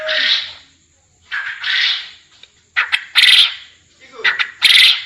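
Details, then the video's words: Quail sound played to train quails for singing contests. Harsh, raspy bursts, each led by quick clipped notes, come in a loose series of about four phrases. A thin high tone runs underneath. "Sound Of Puyuh (GACOOOOOOOOR)"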